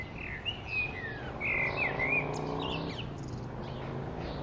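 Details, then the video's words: A common blackbird gives a few clear, fluty whistled notes with quick upward and downward slides, over a steady low rumble of background noise. "Common Blackbird Calling"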